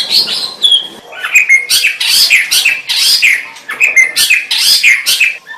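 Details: A white-rumped shama sings bright, high whistled notes interspersed with loud harsh bursts, repeating in lively pulses throughout a densely packed phrase.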